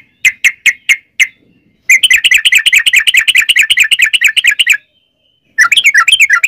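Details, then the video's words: Sooty-headed bulbul singing a long 'ropel' rapid trill, used as a lure to set other bulbuls singing. Four spaced chirps lead into a dense, buzzy three-second run of fast notes, then a pause and another quick trill. "trucukan gacor ROPEL PANJANG buat pancingan trucukan agar bunyi jadikan burung trucuk gacor SEKETIKA"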